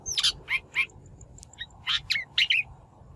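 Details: Shrike lure recording, for trapping or training wild-caught birds: three loud harsh notes in quick succession, a brief soft pause, then another cluster of rasping calls with short whistled inflections.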